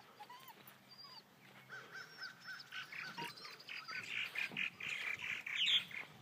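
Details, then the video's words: Purple martins, the county bird of Elbert County, Georgia, calling in a busy colony: soft croaks and chirps at first, swelling into a dense run of rapid, gurgling chatter, with several birds overlapping. "Elbert County's Purple Martin Birds"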